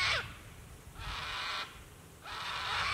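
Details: Sulphur-crested cockatoos call at the end of the day near water at Lake Broadwater, Queensland, Australia: harsh, hoarse screeches trailing off, roughly one every second, with some low background rumble.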